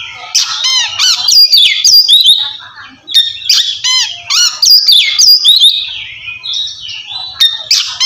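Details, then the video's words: Oriental magpie-robin in kacer ngeplong song, described as calling a rival and used to provoke silent birds; dense loud phrases of quick downward-sweeping whistles, harsh buzzes and slurred notes, with a brief gap midway. "suara kacer ngeplong memanggil lawan cocok buat mancing kacer malas bunyi"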